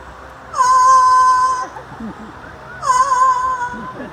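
A parrot gives two long, steady, tonal notes, each held about a second, with a slight rising start.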